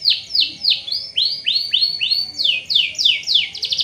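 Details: Canary song used as a lure to stimulate other canaries to sing: a fast run of loud, high, sweeping notes, first falling then rising slurs, repeated about three times a second, with a faint steady background hiss.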